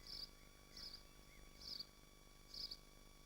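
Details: Four thin, high buzzy bursts spaced irregularly from swifts at their nest in Machynlleth, Dyfi Biosphere, heard over a low continuous electrical hum on the nest livestream.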